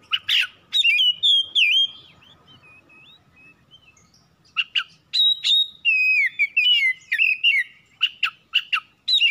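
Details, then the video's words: Oriental magpie-robin kept at home, singing to trigger other birds: bursts of sharp clicks and chirps with slurred whistles, a quiet gap of thin soft notes, then lively varied whistled phrases. "PANCINGAN CEPAT PAGI SIANG MALAM KACER RUMAHAN CEPAT GACOR"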